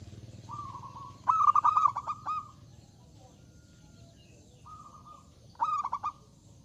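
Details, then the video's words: Loud zebra dove song inviting rivals to sing, heard as a soft drawn-out hum, then a burst of quick stuttering notes trailing into a steady tone, a quieter hum, and one more stuttering phrase. "Suara Burung Perkutut Gacor Suara Besar Mengundang Lawan Bunyi"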